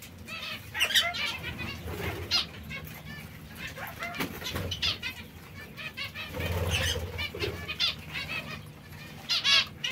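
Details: Zebra finches eating seeds and fresh salad keep up an irregular chorus of short, nasal trumpet-like calls, some louder bursts standing out over soft rustling and low hum.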